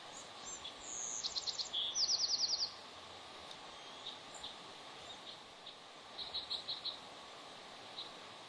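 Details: Bald eagles, a mated pair, call at their Santa Cruz Island nest during an afternoon incubation changeover. A burst of fast, high piping chitters comes first, then a quieter, shorter series of similar notes several seconds later.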